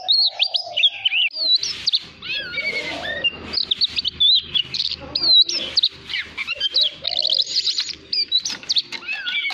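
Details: Oriental magpie-robin singing for voice training of a young bird: continuous loud whistled phrases, quick slurs and chattering trills in varied sequence, with bursts of rustling, cage-like noise in the background.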